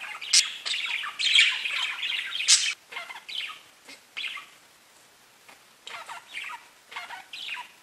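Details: Pet budgies chattering in dense bursts of high, scratchy chirps and warbles, loud at first, then quieter with short broken phrases and brief pauses.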